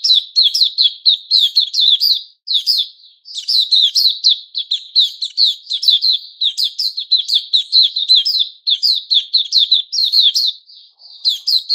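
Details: Kept white-crowned shama, called Puteh Raja, with new feathers, recorded 6 September 2021; an extended outpouring of rapid, sharp, high warbling notes repeated in dense runs with only brief breaks.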